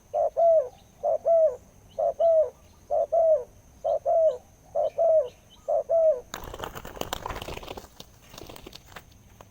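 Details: Spotted dove, a wild bird with a deep voice, giving even two-note coos about once a second for six seconds, after which loud rustling and handling noise takes over.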